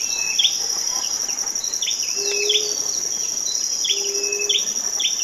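Tailorbird giving sharp, high chirps in quick bursts over a steady shrill insect drone, with a soft low hum twice in the background.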